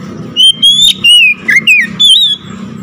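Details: Oriental magpie-robin in full song after hearing another magpie-robin, delivering a steady stream of piercing whistles: long level notes, a dipping slur, short twisting figures and a rising flourish, with a faint low hum underneath.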